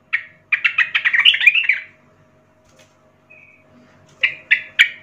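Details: Young forest sooty-headed bulbul song used to train young birds: a rapid chattering burst of bubbly notes, then silence and three separate bright chirps at the end.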